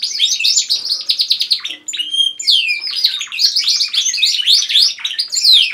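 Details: Several pet canaries singing together indoors at home, one bird leading: dense, bright twittering with rapid trills and chirps, quick rising and falling whistled sweeps and brief buzzy rolls, voices overlapping continuously with a short lull near the middle.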